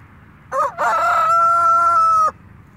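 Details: Buff (isabel) Brahma chicken: a loud crow opening with a short rough note, then a long, steady, slightly falling sustained cry held for about a second and a half before stopping abruptly.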